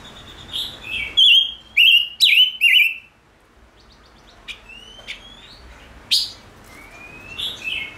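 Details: Male Gouldian finch, stimulated into singing, opens with a rapid series of loud, bright whistled notes with falling slurs, then softer scattered chips and thin rising whistles after a brief quiet gap.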